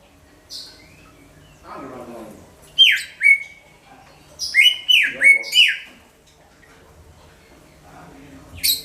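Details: Greater green leafbird giving ringing song for luring birds of all kinds; a few downward-slurred whistles in a quick series amid softer background chatter, then near quiet.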